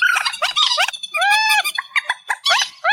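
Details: Amplified reed warbler song, presented as a night bird sound: loud, rapid grating notes mixed with arching, nasal, harmonic phrases, delivered in quick uneven bursts.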